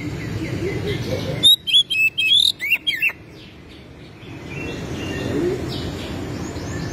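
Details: Oriental magpie-robin, a kept songbird, delivering a short burst of sharp, varied whistled and chattering notes lasting about one and a half seconds, set against a steady low background hum before and after.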